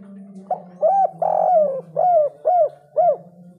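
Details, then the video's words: One full phrase from a spotted dove in the 'kuk 3' big-voice style: a soft lead-in note, then a stretched coo and four short, evenly spaced hollow coos. A low steady hum is heard throughout. "derkuku kuk 3 suara besar super gacor bikin panas auto birahi burung lain"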